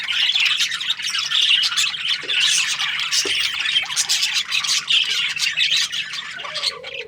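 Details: Australian budgerigars during breeding season, lively high chattering and warbling from several birds, with occasional short lower squawks.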